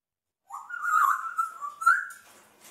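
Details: Pet African grey parrot mumbling in imitation of a human speaker: a drawn-out, wavering whistled tone lasting about two seconds, with a brief accented bump near its end, in a quiet room.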